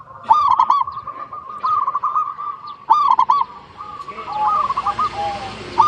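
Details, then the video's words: Local zebra dove song meant to lure other zebra doves into singing; rolling coos with sharp stuttered notes every second or so, then softer wavering trills as hiss rises in the background. "PERKUTUT LOKAL GACOR PALING DISUKAI 🐦 Suara Asli Bikin Semua Perkutut Dimanapun Pasti Nyaut"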